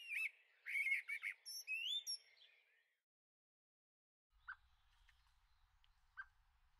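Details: Young blackbirds in a garden on the Veluwe, Netherlands, late April 2014: about two seconds of squeaky chirps and a rising whistled note, then near silence with two isolated soft clicks over faint low rumble.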